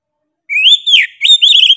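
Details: Singing kacer, the Oriental magpie-robin, in lively 'gacor' form: a loud rising whistle sliding down, then a second phrase of quick warbled whistles, clear and ringing with nothing else heard.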